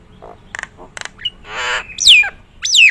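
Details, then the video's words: Nias hill myna, a prized singer with a special voice: quiet clicks and short notes, a long harsh rasping buzz, then two loud piercing whistles swooping downward. "burung jalak nias gacoran,suara istimewa"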